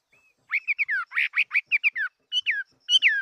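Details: A Chinese hwamei of fighting stock delivers a rapid, varied phrase of slurred whistles. Quick down-sweeping notes tumble one after another, then a pause and two clearer descending whistles close the phrase.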